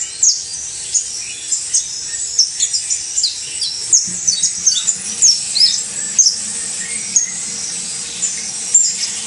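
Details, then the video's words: Saffron finch, known locally as canario basto criollo, singing a rapid series of sharp, high chirps and short downslurred notes, spaced irregularly every half second or so, over a faint steady background hiss. "UN CANTO INCREIBLE DE CANARIO BASTO CRIOLLO (FANTASTICO)"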